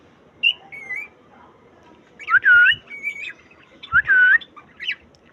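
A cockatiel gives bright sliding whistles and warbled, speech-like phrases in short bursts.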